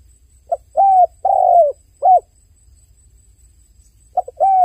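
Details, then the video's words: A dove's crying coos, one complete four-note phrase of soft hooting notes rising then falling, followed after a long gap by the start of the next phrase. "The sound of a dove crying សំឡេងសត្វលលកយំ"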